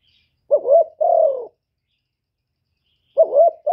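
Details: Spotted dove used as a decoy bird, cooing: a low doubled hooked note followed by a longer falling coo, pause of about two seconds, then the phrase begins again; otherwise quiet.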